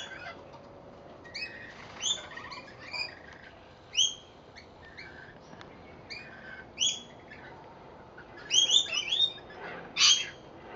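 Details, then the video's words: Rainbow lorikeets feeding on seed put out on a verandah in Victoria, Australia, giving shrill, screechy calls in short separated bursts, then a busier cluster of overlapping screeches near the end. "Rainbow lorikeets on our verandah"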